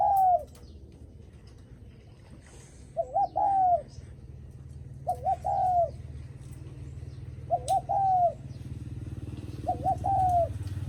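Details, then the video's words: Spotted dove repeating its guest-greeting coo, linked to visitors arriving: five phrases of two short notes and a drawn-out croon, spaced two to three seconds apart, over a continuous low rumble. "Tiếng Chim Cu gáy khách có khách đến nhà là gù cực chất cu gáy chào khách"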